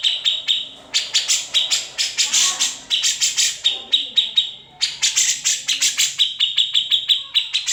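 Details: Cucak jenggot, the grey-cheeked bulbul, singing its ngepik and ngetril style in an unedited master recording; bursts of rapid sharp chips separated by short gaps, harsh buzzy notes mixed in, quiet low chatter in the background.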